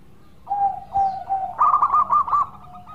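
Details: Melodious local zebra dove song used as a lure for singing birds: three soft, level cooing notes, then a loud run of rapid rolling, pulsed coos ending in a quieter held tone.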